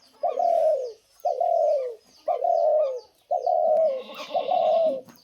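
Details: A spotted dove, apparently kept by its owner and being fed soil, gives soft, hollow coos about one per second, each sliding slightly downward; the owner says it calls well, and a brief faint human sound intrudes near the end.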